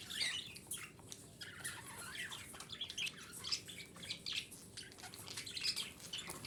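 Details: Female budgerigar chatter intended to stimulate breeding; an ongoing soft warble of scratchy chirps and small squeaks, moderately loud, with brighter notes popping out every second or so.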